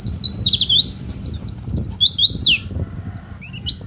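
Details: Oriental white-eye singing vigorously, a recording for training other birds or luring wild birds. Busy high warbling with quick sliding notes, ending in a few sparse chirps.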